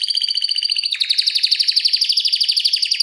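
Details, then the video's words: Vigorous canary singing a dense, fast rolling trill for tutoring other canaries. A thin high pulsed series shifts abruptly into a louder, richer, tightly repeated roll. "Kenari Masteran Suara Gacor Ngeroll Panjang Untuk Pancingan Maupun Masteran"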